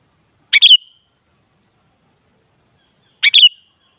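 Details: Kutilang, the sooty-headed bulbul, calling to spur a kutilang into singing back: a pair of quick three-note bubbling phrases spaced under three seconds apart, clean and otherwise silent.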